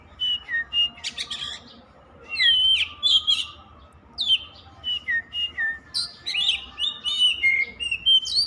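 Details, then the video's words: Oriental magpie-robin in continuous song: bright whistled notes, many slurring downward, mixed with quick chirps and high sharp notes in a busy, varied stream with only brief gaps. "Suara kacer_kicau mania yang sllu bunyi gak mau berhenti"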